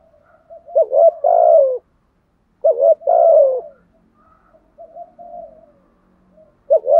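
Spotted dove giving low, mellow cooing phrases about a second long, repeated every few seconds with brief pauses and softer coos between; no other sounds.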